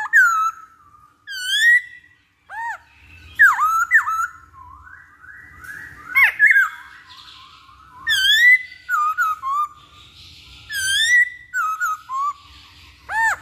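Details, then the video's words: Masked laughingthrush song played to prompt birds to sing quickly: a busy series of loud clear whistles, swoops and curling notes, many dipping then rising, given in bursts with short gaps over thirteen seconds. "Pancingan Poksay Hongkong Agar Cepet Bunyi"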